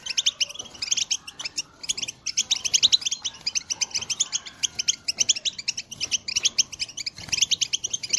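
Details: European goldfinch song, recorded in 2022 and played to motivate caged birds to sing: dense, rapid high twittering with tinkling notes that runs almost nonstop, broken only by brief pauses.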